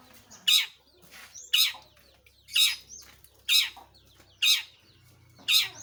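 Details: Long-tailed shrike uttering loud, harsh, rasping notes, one roughly every second, six in all, with quiet gaps between them.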